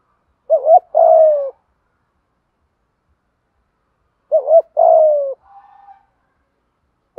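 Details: Spotted dove lure coo in the 'thúc gù' style, meant to prompt wild-caught or long-silent birds to call; two low phrases, each a brief trembling double note followed by a longer downward-sliding coo, with a faint soft murmur after the second.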